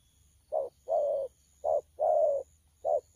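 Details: Spotted dove, a young bird called bổi, cooing in thổ pha style on 12 October 2019; low hooting coos in pairs, a clipped note followed by a longer drawn-out one, roughly once a second.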